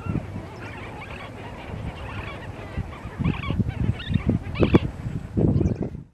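Flamingos give a steady gabble of low, nasal, goose-like honks, many birds overlapping, with louder honking bursts near the end.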